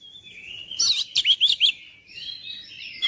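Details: Oriental magpie-robin song used to provoke mute, lazy magpie-robins into singing hard: a thin whistled lead-in, then a fast run of four or five loud sharp notes, trailing into quiet warbling and a final note.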